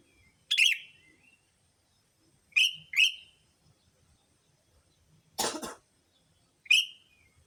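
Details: Sooty-headed bulbul lure calls for attracting bulbuls: bright single and paired chirps spaced a couple of seconds apart, interrupted midway by a harsh, noisy rasping burst, then one last chirp.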